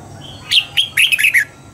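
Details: Red-whiskered bulbul trained for dawn singing in the double-note wild style, one brisk phrase: a bright whistle, a short note, then a fast wavering run of rich slurred notes finishing lower.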